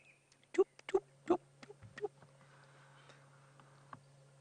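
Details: A red-crested korhaan calling in the background on a quiet morning game drive at Cheetah Plains, South African bushveld, 29 June 2016: a few low, hollow notes about a third of a second apart, over a steady engine hum.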